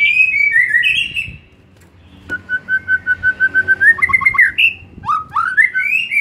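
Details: White-rumped shama, an afternoon lure recording meant to make a caged bird sing more: loud clear whistled phrases, a long run of evenly repeated notes on one pitch that rises, then quick upward-slurred whistles.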